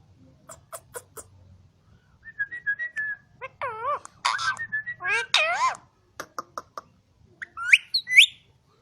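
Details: Ring-necked parakeet, a green talking parrot on a Quetta farm, strings together short flat whistles, looping wavy speech-like phrases and clicks, then finishes with sharp rising squeaks.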